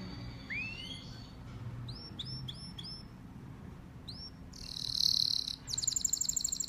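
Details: Male domestic canary song with scattered rising chirps and short paired notes, then a loud fast trill and rapid high rattling phrase near the end.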